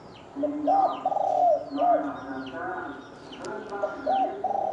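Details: Spotted dove cooing in the thổ đồng style, meant to provoke males and wild birds into fighting: low, hoarse phrases of short coos with a lower hum beneath, while high, falling whistled notes from other birds cross repeatedly.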